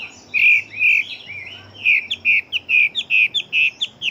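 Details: Fighting-type Chinese hwamei: loud, clear whistles, first spaced, then speeding into a quick regular series of short ringing notes with sharp high accents.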